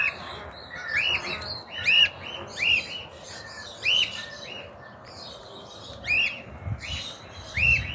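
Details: Cockatiel, likely an escaped bird now living free, calling from a rooftop in 2023 in a region where it is not normally found; loud arched whistled notes rising then falling, repeated roughly every second, with a faint hum underneath.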